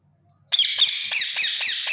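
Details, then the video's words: Indian ringneck parakeet calling: harsh, high screeches that start abruptly and repeat about three times a second in a continuous grating run. "Indian ringneck parrot sound"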